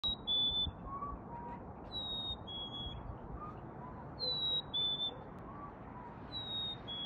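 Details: Black-capped chickadee calling at 6 pm in a backyard in NW Calgary, Alberta, February 28, 2021: clear high whistled two-note phrases, a higher note sliding to a slightly lower held one, repeated three times over a soft background hiss.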